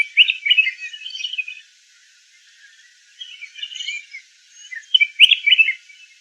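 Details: Red-whiskered bulbul singing out quick warbled chattering phrases, a lively burst at the start, a softer one mid-way and another loud burst near the end.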